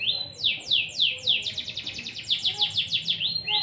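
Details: Canary song described as gacor, lively and excellent: high down-slurred whistled sweeps, about four per second, break into a fast rattling trill of rapid repeated notes, then slower sweeping notes return at the end.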